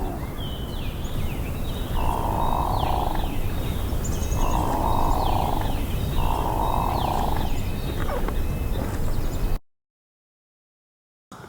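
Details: Displaying male Hooded Mergansers, part of a group of about a dozen on an open creek at Sax-Zim Bog, Minnesota, on April 14, 2020, give three low, rolling, froglike growls about two seconds apart, over high chirps and background noise.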